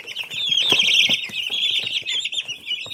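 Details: Many young chicks peep together in a constant shrill, wavering chatter, with soft scratching and shuffling underneath.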